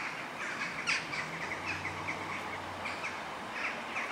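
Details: Western jackdaws gathering in large numbers at sunset to sleep in trees near a shopping center in The Hague, Netherlands, in October; dense overlapping short squawking chacks from a flock, with a faint low hum beneath.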